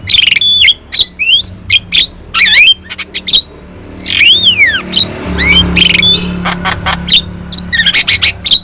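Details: Javan myna (jalak kebo), yellow-eyed, song for training other birds in Indonesia; harsh squawks and clicks, then a long swooping whistle that arches up and down, followed by more rapid chatter, with faint engine rumble.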